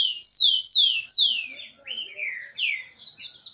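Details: Tico-tico (Rufous-collared Sparrow) song, excited males with females: a run of loud, clear whistled notes, each sliding downward, the first three high and close together, then lower slurred whistles and a few thin high notes at the end.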